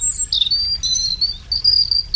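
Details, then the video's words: European robin (Erithacus rubecula), a garden bird heard singing mornings and at dusk, gives territorial song: a thin, high, wistful warble of quick sliding notes and short trills jumping between pitches, over a faint low rumble. "Écoutez le chant du rouge-gorge."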